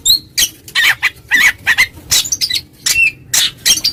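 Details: Oriental magpie-robin calling a rival in ngeplong style: noisy, scratchy bursts with a few short whistled slurs, irregular and rapid.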